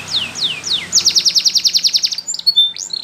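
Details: Spanish Timbrado canary singing for training: three slow downward-slurred whistles, then a fast pulsing trill of about twelve even notes, ending with brief high chips.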